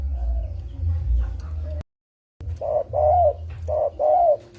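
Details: Spotted dove lure call used by bird trappers: after a faint coo and a short break, four rounded coo notes. The last two are longer and wavering, over a steady low hum.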